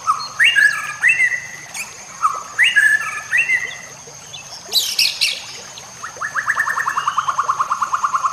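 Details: White-rumped shama song for training other birds: varied rich whistled phrases rising and falling, a sharp burst of harsh notes, then a fast run of repeated notes, with a steady high electronic-like tone behind.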